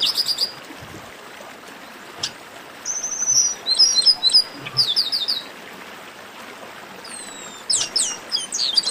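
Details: Chestnut-capped blackbird, esquenta-style song. Scattered high chirps, then a dense cluster of sharp, rapid twittering notes, a quiet gap, and a few thin downslurred whistles and chirps near the end.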